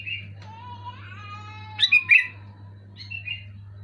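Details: Sooty-headed bulbul in loud, clear song meant to make a moulting, silent bulbul start singing: a drawn-out harmonic whistle, then two bright bubbly notes and a softer trailing phrase, with a constant low hum beneath.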